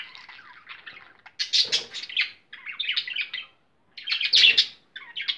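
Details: A budgerigar chatters in bursts of rapid, scratchy warbles and high chirps.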